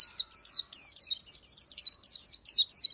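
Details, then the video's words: An Oriental white-eye delivers a steady stream of high, slurred, warbling whistles, each note swooping down and up, roughly three per second without a break. "Chim hót hay Vành Khuyên họng vàng đông dương | นกแว่นตาขาวสีทอง| Oriental White-eye"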